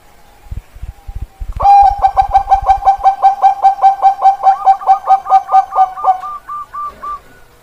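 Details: Bangkok-line zebra dove (perkutut) kept in Indonesia, 16 October 2023: a fast, even string of about twenty bright, low coo notes, rolling steadily then fading, preceded by soft tapping thumps.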